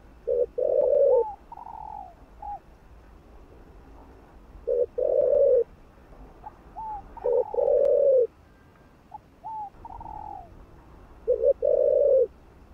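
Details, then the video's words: Spotted dove cooing to stimulate other doves: repeated low coo phrases, double note plus long coo, alternating with higher, shorter slurred notes, giving a busy back-and-forth rhythm. "Chim Cu Gáy Thúc Gù. Kích Mồi.Kích Bổi Cay Cú | cu gáy kích bổi nhanh nổi"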